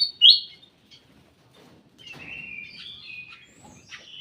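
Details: Ruby-throated bulbul kept in a private aviary: one loud, slurred whistle at the start, then softer scattered warbled phrases after a pause, with faint low rustling beneath.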